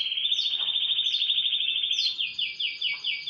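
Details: Morning canary song: a loud, even, rapid trill for two seconds, then a run of rhythmic descending whistled sweeps about four per second.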